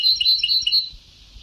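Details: European goldfinch singing on a very old recording of Sebtaoui-style song: a quick, bright twitter of tinkling notes for under a second, then fading into steady tape hiss.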